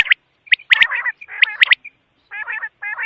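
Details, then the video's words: Short burst of quail calling: sharp high notes followed by buzzy, rattling chatter, ending with two softer grating phrases. "Batair ki awaz|quail sound"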